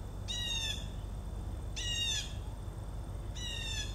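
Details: Blue jays calling in the background on 4 September 2014 beside Joe Pye weed with monarchs: three harsh, nasal jeers, each about half a second, roughly every one and a half seconds, over low wind or traffic rumble.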